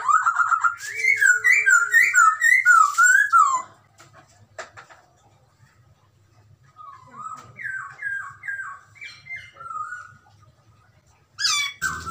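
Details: Chinese hwamei, one of two birds with white and grey cheeks, singing eagerly; a rapid run of loud looping whistles, a quiet gap with soft clicks, then a fainter rhythmic series of slurred notes and a final burst.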